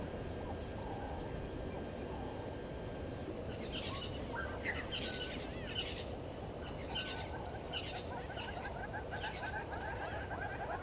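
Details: A red-billed hornbill calls at 17:35 on 15 September 2020 at Gowrie dam waterhole, Djuma Game Reserve, Sabi Sand, South Africa: a run of quick, clucking notes growing busier from the fourth second, over a steady low outdoor rumble.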